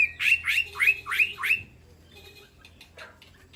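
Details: White-rumped shama in an aviary calling to the flock: five loud, harsh swooping notes in quick succession, then faint scattered chips.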